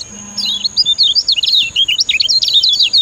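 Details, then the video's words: Lemon-bellied white-eye (kecial kuning), Lombok, singing master song for tutoring other birds: a dense, rapid twittering run of high, jumbled chirps with no breaks for three seconds. "Ciak Ciak Ngejoss Kecial Kuning Ampuh Jadi Masteran"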